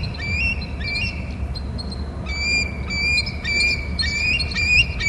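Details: Hornby Island bald eagles exchanging calls between nest and territory, heard on a nest camera: loud, high-pitched chittering series of short piping notes in rapid bursts, with faint low background rumble.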